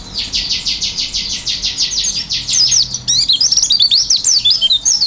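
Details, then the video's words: Oriental white-eye singing energetically: a fast even buzzy trill of repeated high notes, then a switch to sharp rising and falling twittering whistles. "pleci gacor isian buka paruh"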